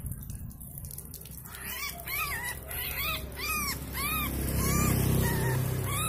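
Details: Untamed wild yellow-vented bulbul during taming: a quick run of arched, downcurved chirps, roughly four a second, then softer flatter notes, over a low rumbling noise that grows louder toward the end.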